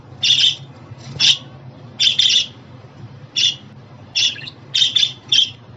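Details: Pet budgerigar calls meant to cheer a caged budgie: short bright chattering bursts, a few notes each, spaced about one second apart with brief pauses between them.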